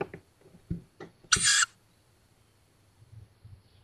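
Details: Tawny owl young at a nest camera in woods on the edge of Szokolya, Hungary, May 2022, near fledging: a few soft knocks and shuffles, then a single loud, breathy screech lasting about a third of a second.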